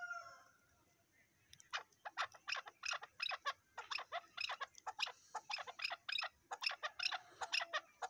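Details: Chukar partridge call: after a quiet opening, a fast run of sharp, clipped chuk notes, bright and somewhat distant-sounding, repeated irregularly over several seconds against a faint steady hiss.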